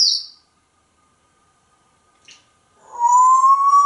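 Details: Talkative pet African Grey Parrot indoors, giving a short high whistle, then after a pause a long clear whistle that rises slowly, with a faint steady hum behind it.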